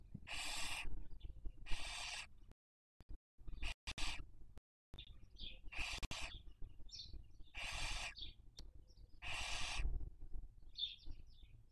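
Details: Barn owl (Tyto alba) during the 2023 breeding season, raising young at a nest webcam in Cabañeros National Park, Castilla-La Mancha, Spain: repeated rasping hissing screeches, about six, with brief chirps and a few clicks between.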